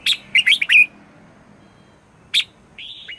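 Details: Decoy red-whiskered bulbul in morning 'chè' song, meant to draw in wild birds and spur others to sing: a fast burst of five tumbling chirps, a lone sharp note after a pause, then a short level whistle.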